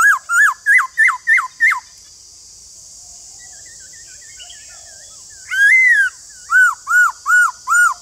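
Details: Caged white-cheeked laughingthrush song meant to prompt other birds to sing: rapid hooked whistles in a burst of six, a quiet pause with soft notes, then a loud rising phrase and four arched whistles over steady hiss.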